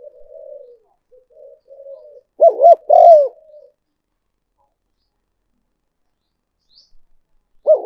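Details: Spotted dove cooing as a lure: faint low murmurs lead into a loud triple phrase, two quick coos and a longer sliding note, then silence before another coo begins.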